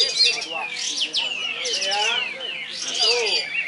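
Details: White-eye, known locally as kapas tembak, a double-winning contest bird at a songbird competition field in Ketapang, Krotosari; rapid high chattering song with sweeping whistles and buzzy trills, while people talk underneath.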